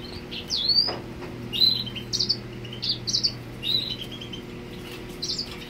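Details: Grey Singer male courting a female, giving short clusters of high, sharp chirps roughly every half second, with a soft low hum in the room.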